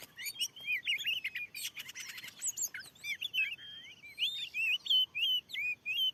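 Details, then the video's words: A fierce wild oriental magpie-robin answers a lure on freshly cleared land, singing loudly: rapid buzzy chattering notes at first, then clear whistled phrases that loop, rise and fall, repeated in quick bursts over a quiet background. "ada burung Kacer yg sanggat ganas"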